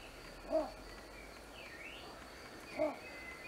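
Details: Little bittern in a reedbed at Bosco WWF di Vanzago, Italy, giving two short, deep, muffled barking notes about two seconds apart, over a steady high insect hum and a faint distant bird whistle.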